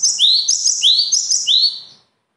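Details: A single bird sings a quick, high phrase of three or four repeated rising sweeps overlaid with bright whistled notes, lasting about two seconds and then fading to quiet.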